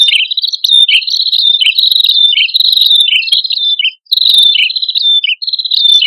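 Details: Male and female prinias singing vigorously as bird lure: dense, nearly unbroken run of high whistled notes, each with a dipping hook, tumbling together in quick succession with only one short pause.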